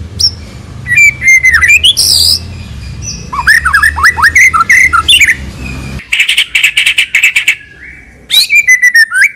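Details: White-rumped shama (murai batu) song used as a lure: loud rich whistles, rapid rising and falling slurs and harsh burry bursts, in varied phrases broken by short pauses, with background noise.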